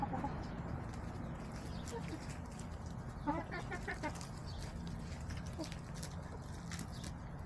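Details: Backyard chickens on a sunny day, 18 March 2024, while eating leftover salad and sunbathing: a quick run of several short harmonic clucks near the middle, with faint clucks earlier over a steady low hum.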